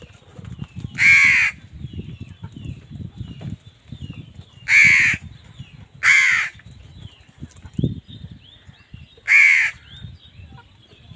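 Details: Crows squabbling with wild birds over food give four loud, harsh, drawn-out caws spaced a few seconds apart, over a steady low rumbling background.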